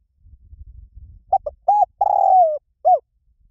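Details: Spotted dove, liu tan style coo played to lure birds into cooing back: after a low rumble, two clipped notes, a rounded hoot, a long coo drifting downward and a short arched ending note.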